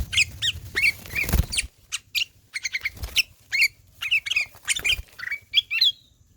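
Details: Sooty-headed bulbul in lively ngelowo singing: a rapid series of sharp, bubbling notes and chirps, some rising and whistled, delivered in quick bursts with short gaps and a rustling noise early on.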